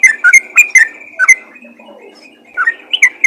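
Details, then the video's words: Yellow-vented bulbul calling to other bulbuls: a cluster of sharp whistled chirps and a held whistle, a quiet gap with faint low notes, then another short burst of bubbly notes. "panggilan burung trucukan ropel gacor memanggil trucukan lain"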